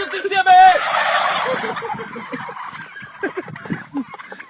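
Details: Several turkeys gobble together. Rapid clucking, rattling notes tumble in quick succession, strongest early and fading toward the end, over a noisy background.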